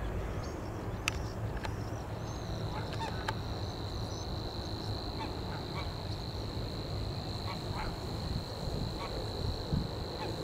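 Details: Savi's warbler at Leiderdorp in the Netherlands, reeling a steady, high, unbroken buzz that starts about two seconds in and runs to the end, over a loud low rumble with a few scattered clicks and brief calls.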